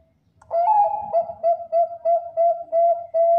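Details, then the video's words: A champion Bangkok zebra dove's song, kept to lure other doves: one slurred introductory coo runs into a steady string of soft, round notes, each about a third of a second, in a clean, quiet setting. "PERKUTUT BANGKOK GACOR JUARA SUARA AMPUH DIJADIKAN PANCINGAN PERKUTUT BANGKOK LAIN"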